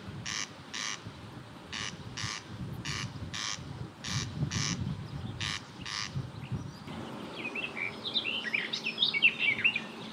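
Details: A corn crake calls from fields along the Babka River, Perm Krai, Russia, giving dry, rasping double notes, crex-crex, about twice a second. Then the rasping stops and other small birds chirp and twitter.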